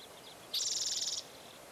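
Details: Bald eagle at the Fraser Point nest, 04-10-2019, where eaglets fell out and returned: a single shrill rapid rattle lasting over half a second, faint thin notes before and after.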